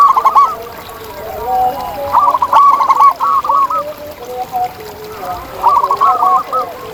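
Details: Several local zebra doves calling in the wild, one voice leading with quick bubbling coo phrases at about two-second intervals while quieter doves coo underneath at a lower pitch.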